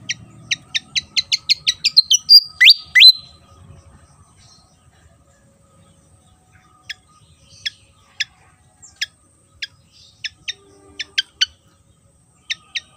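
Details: Song of the Javan fantail, an insectivorous bird common on Java: a rapid run of clipped descending notes climbing into a short twisting phrase, followed after a pause by scattered sharp chips at uneven spacing.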